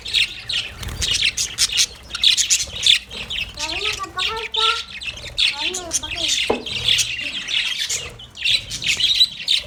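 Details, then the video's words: Several happy budgerigars playing in a cage, chattering constantly with dense, scratchy high chirps and squawks, plus a few lower warbling notes mid-way. "Happy Budgies Chirping sound My Budgies play in Cage"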